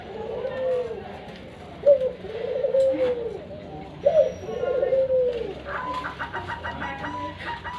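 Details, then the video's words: Zebra doves, many calling together in the morning, give low, soft, curved cooing notes in slow uneven series, about one every second; faint chirping from other birds enters near the end over steady background hiss. "Suara Perkutut Ramai Dipagi Hari"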